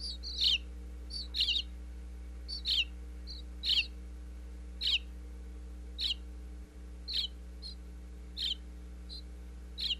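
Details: Bluebird nestlings inside a Pennsylvania birdhouse, miked from within through a crack in the back; short high chirps come singly or in pairs roughly every second, fairly evenly spaced over a constant low hum.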